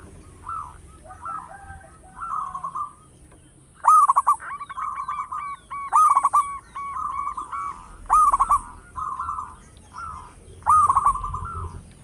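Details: Local zebra dove, loud-voiced and singing actively, kept as a lure for other doves; repeated bubbling, rolling coos in phrases about every two seconds, several opening with a sharp, high click-like burst.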